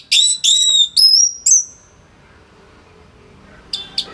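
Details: Orange-headed thrush singing as a tutor model for songbirds: four loud whistled phrases, the last a long rising-then-level whistle, followed by silence and two soft chips.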